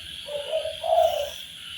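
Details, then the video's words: Tekukur (spotted dove) master recording used to train birds: one faint, soft phrase of a quiet wavering coo swelling into a louder, longer hoot, with continuous high-pitched insect-like noise throughout. "MASTERAN BUAT BURUNG TEKUKUR SUPAYA GAC0R DAN BERGAIR4H"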